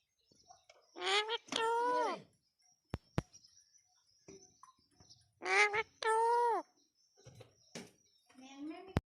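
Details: Pet parrot called Mitu talking: two short, high-pitched, wavering spoken phrases about four seconds apart, with a few sharp clicks and soft sounds in a quiet room.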